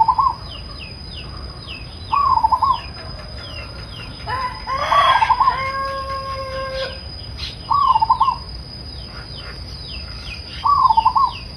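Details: Zebra dove giving soothing cooing calls: short wavy trilled coos repeated every few seconds, with a rooster crowing midway, faint chirps of other birds and a steady high whine in the background.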